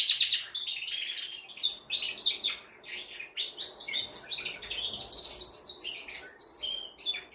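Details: Canary song meant to stimulate a female for mating: a continuous run of varied high trills, buzzy rolls and sharp chirps, with brief pauses between phrases.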